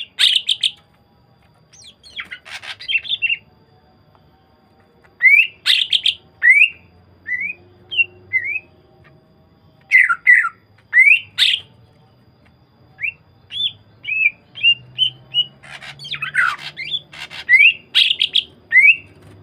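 A greater green leafbird sings a lively run of sharp whistles, chirps and rising squeaky notes.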